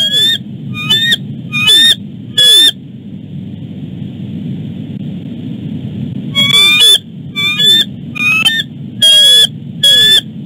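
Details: Bald eagle pair on and around the nest, the male leading his mate on a long chase before letting her eat; bursts of high, sharp chittering calls with rising whistled notes, several in quick succession, then a pause and another run of calls.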